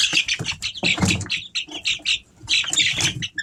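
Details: Three-week-old Easter Egger chicks peep constantly, a dense chorus of high, short chirps tumbling over one another with barely a pause, with a few low rustles underneath.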